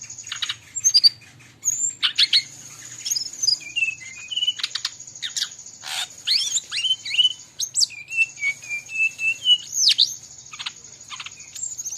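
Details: Bali brown-chested jungle flycatcher in energetic song, with other birds mixed in. It gives repeated wavering whistles and looping upslurred notes in quick runs, broken by sharp clicks. A steady high whine continues through.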